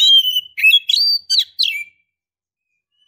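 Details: Female Oriental magpie-robin, in breeding condition, calls to a male with a quick phrase of sweet slurred whistles and sharp chirps, then silence.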